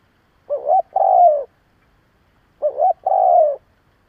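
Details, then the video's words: Kept decoy spotted dove cooing to provoke other doves: a low two-part coo, with a short hooting note followed by a longer, slightly falling coo. The coo is given twice, about two seconds apart, in quiet surroundings. "Cu gáy gù gáy kích bổi cực mạnh / Tiếng cu gáy hay kích bổi / Cu mồi thúc gù kích cực mạnh"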